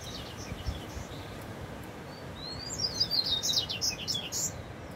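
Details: Double-collared seedeater (Sporophila caerulescens) singing in the bush: a quick burst of high, thin twittering notes in the second half, over a steady low rumble.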